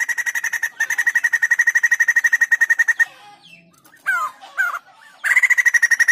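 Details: Rapid, loud chattering from a white-crested laughingthrush, repeated about four times a second. It breaks off for a moment of softer swooping notes, then starts again with the same quick pulsing run.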